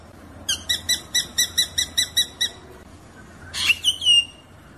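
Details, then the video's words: Drongo in its rolling 'ngeroll' song, recorded as tutor material: about nine bright, ringing notes repeat quickly and evenly, then a brief pause gives way to a louder burst and a sliding, whistled note. A faint low hum sits behind. "kicauan srigunting ngeroll"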